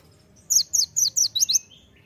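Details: Olive-backed sunbird (kolibri ninja) delivering six loud, sharp, downward-slurred high chirps in quick succession, part of a gacor tembakan masteran song, followed by a faint thin whistle.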